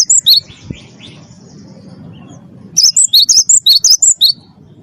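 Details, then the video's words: Cinereous tit of the wingko type, a first-place champion singer, used as a lure to make other caged birds sing: high whistled notes open the clip, then after a pause ten rapid, sharp, two-pitched notes ring out in a quick bright string. "gelatik batu wingko gacor juara satu pancing bunyi gacor"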